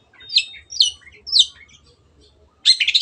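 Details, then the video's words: Long-tailed shrike in full song, used as a lure to get silent birds singing: three sharp descending chirps, a pause, then a harsh, dense scratchy burst near the end. "CENDET GACOR PANCINGAN MENGATASI BURUNG MACET ATAU BAHAN AGAR RAJIN BUNYI"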